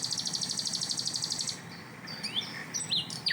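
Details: Asian brown flycatcher tembakan song. A very high, buzzy rattle of about one and a half seconds gives way to scattered sweeping and upslurred notes.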